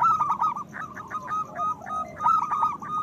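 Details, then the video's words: Zebra dove song from local birds, used to coax silent doves into singing and breeding condition; dense rapid pulsed coos at mid pitch, a lower drawn-out arching note in the middle, then another quick burst. "Perkutut lokal gacor Suara Besar Pancingan Bunyi Menaikkan Birahi Paling Ampuh"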